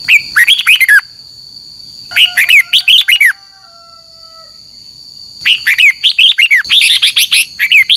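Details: Decoy fighting song of a red-whiskered bulbul in the morning: three rich, bubbling phrases of looping whistled notes, the last one longer and fuller, with a constant high thin tone throughout.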